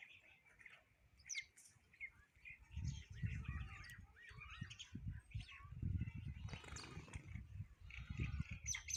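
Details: Several sparrows chirp while eating food, in quick, overlapping bursts of short bright notes, with a low buffeting rumble like wind or wingbeats underneath.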